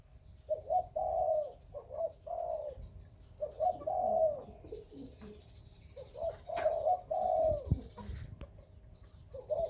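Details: Spotted dove (Khmer and Malay breeding birds) giving soft, hollow coos in short two- and three-note phrases, repeated every few seconds, with a sharp tap partway through.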